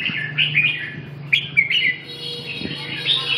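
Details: Red-whiskered bulbul giving short, quick whistled chirps, then a sustained higher tone, over a low steady hum.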